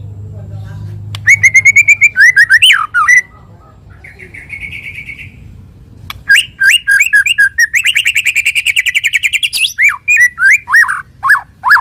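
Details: Morning song of a white-rumped shama: clear whistled notes and sliding phrases, a soft rising warble, then a fast evenly repeated trill of strong notes followed by separate downslurred whistles, over a low hum.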